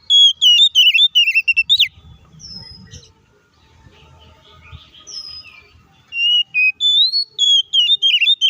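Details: Loud fighting song of an Oriental magpie-robin, used to make rival magpie-robins agitated: rapid runs of chattering whistled notes, a quieter gap with soft slurs, then another quick energetic whistled series.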